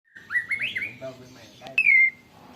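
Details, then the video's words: White-rumped shama with canary-mimic fill, phone-recorded: a short run of rising chirped notes, then a sudden loud drawn-out whistle that slides downward, with faint background hum. "Burung murai batu isian kenari full ngeroll panjang"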